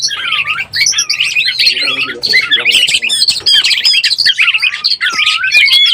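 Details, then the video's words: Oriental magpie-robin in breeding condition, recorded as a lure sound: a loud, rich run of varied whistles, rising and falling slurs and chattery notes, almost continuous, with some harsher squawky elements and a faint low hum behind. "SUARA BURUNG KACER BIRAHI_SUARA PIKAT BURUNG KACER_ PALING AMPUH"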